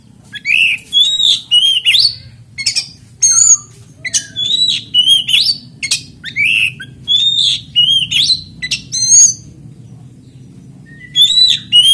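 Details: Oriental magpie-robin singing steadily to provoke rival kacer into song: a long run of short, bright, upward-slurred whistles repeated roughly every half second, with a constant low hum underneath.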